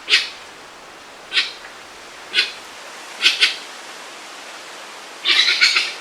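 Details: Grey-winged Trumpeter in the interior of Suriname or French Guiana, a bird kept domesticated as a watchdog, giving its alarm call: harsh, hissing bursts roughly once a second, then a longer ragged burst at the end.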